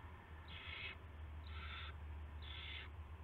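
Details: Owl at its nest before dawn, 5:20 AM on March 9, 2016, as prey, a rat, is brought in: three harsh, hissing bursts about half a second long, one per second, over a steady low hum.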